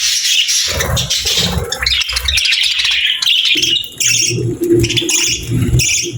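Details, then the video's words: Happy pet budgerigars chirping in a busy, overlapping chatter of high scratchy chirps and warbles, with low rumbling background sounds under the birds throughout. "Happy Parakeets Sounds"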